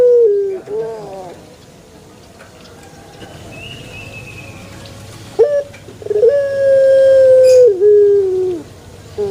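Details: Pelung chicken crow after a quiet stretch: faint wavering notes first, then short stuttered starts, then one long, steady, ringing tone held over two seconds that sags at the end.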